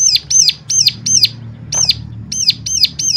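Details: Piercing high chirps from a bird, meant to spur other birds into song. Quick notes repeat about three per second with a short break midway, over a noticeable low background hum.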